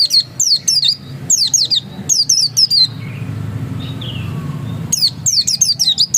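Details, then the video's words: Oriental white-eye (pleci dakun) singing in the insistent 'ngotot' style: bursts of very high, rapid, thin descending chirps in quick clusters, with a quieter pause midway before the twittering resumes; faint low hum underneath. "Suara Ngotot Pleci dakun"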